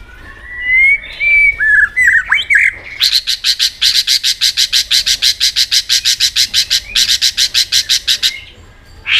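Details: White-rumped shama in competitive singing: a few sweeping whistles, then a long rapid rattle of about thirty harsh, evenly spaced pulses with a brief pause midway.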